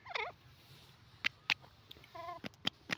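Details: Grey francolin (teetar), free and uncaged, calling. A short nasal, harmonic call opens, and a second stacked harmonic call follows near the end. Sharp dry clicks are scattered between the calls over a quiet background.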